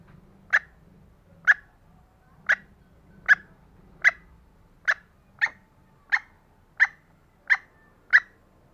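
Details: A vocal female green junglefowl, meant to draw out lazy males, gives a steady series of eleven crisp, abrupt notes, roughly one every three-quarters of a second, against a quiet low rumble.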